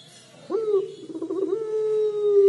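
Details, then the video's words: Puter pelung collared dove in 'crying' style: the call breaks in suddenly, wavers briefly, then settles into a long steady drawn-out coo held to the end. "Suara Burung Puter Pelung Menangis"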